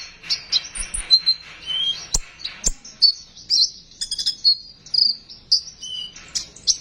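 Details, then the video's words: Besetan song of a sunbird, meant as a lure to stimulate sunbirds to sing: rapid high chirps, trills and brief whistled slides in a busy, unbroken stream with occasional sharp clicks. "Besetan burung konin,,cocok buat pancingan burung konin bahan agar mau bunyi."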